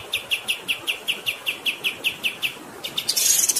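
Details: Kapas tembak, or Grey-headed Canary-flycatcher, in a long rolling song: spaced, high, sharp notes repeated at a steady pace, ending in a bright sizzling burst, with running water throughout.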